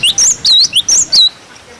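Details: Cinereous tit song used to tutor young birds: a brief run of six sharp, clear whistled notes sliding up and down, high-pitched and crisp, ending abruptly in near silence.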